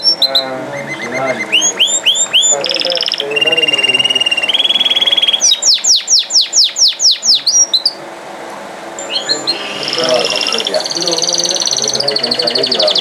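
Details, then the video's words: Canary in full song, moving through whistled rising notes, flat sustained tones, a run of rapid descending sweeps and rolling trills, phrase types changing every few seconds, over low background noise. "Non Stopable Canari Singing | Kanari Sounds | Kanari Voice | Canary Beautiful Voice"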